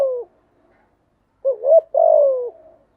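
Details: Spotted dove song used to train newly caught doves to sing: a few low cooing notes, a short gap, then a rising double coo ending in a longer drawn-out falling coo.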